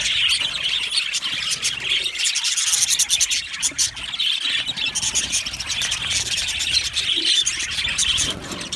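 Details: Colony of budgerigars in an aviary, described as happy, giving a dense, continuous chatter of high chirps and squeaky warbles with rapid clicking pulses and no pauses.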